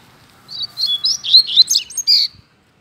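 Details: Free-living double-collared seedeater in a residential neighbourhood, singing a quick two-second phrase of high, chirpy, slurred notes and sharp whistled slides, ending in a buzzy note; quiet background.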